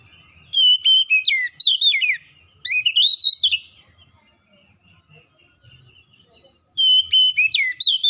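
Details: Lure song of an Oriental magpie-robin for prompting silent birds to sing: three bursts of bright whistles mixed with sharp chips and slurred notes, then a quiet gap with faint twittering before singing resumes.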